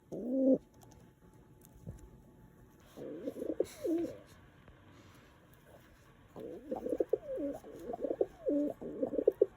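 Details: Pet house pigeon cooing indoors while showing affection toward feet; low hoarse rolling coos in short bursts separated by quiet gaps, bending slightly in pitch.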